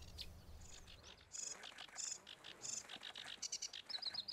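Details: Sedge Warbler singing in a reedbed in spring, often from an exposed reed stem to mark territory: a fast, varied jumble of rasping chatters, churrs and sharp high notes mixed with brief clear whistles, in quick bursts.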